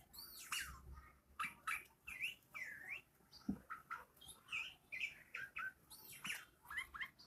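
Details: A bulbul, said to be speaking and dancing, gives a lively run of short, liquid chirps and upslurred whistles, several each second, with faint background noise.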